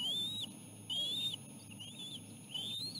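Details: Osprey at a nest while adults feed a small fish to the chicks; four drawn-out, slightly rising whistles, each ending in a downward flick, roughly one per second, over low wind noise.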